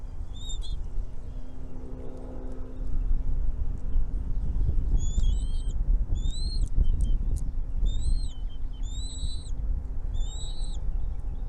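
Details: Young birds in a nest being fed by their mother: after a quiet start, a run of short, high, arched whistles repeats about once a second over a constant low rumble.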